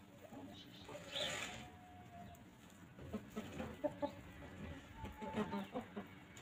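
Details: Chickens walking freely and pecking at grass on a quiet farm; a drawn-out tone early, then a run of short, low clucks in the second half, some scratching and rustling, breezy background.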